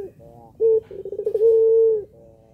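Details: Low cooing from a puter pelung dove used to goad lazy doves into calling: a brief opening note, a quick rolling tremor, then one long level drawn-out hum.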